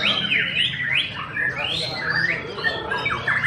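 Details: White-rumped shama, tail missing, competing at a songbird event in Sibolga: loud, sweeping whistles that swoop up and down, interleaved with harsh squawks and rapid chips, over a busy background of other birds.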